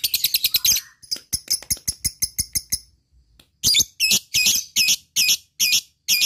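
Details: Lovebird lure call: a fast, shrill chatter breaking into quick repeated ticks, a short pause, then loud harsh shrieks repeated about twice a second.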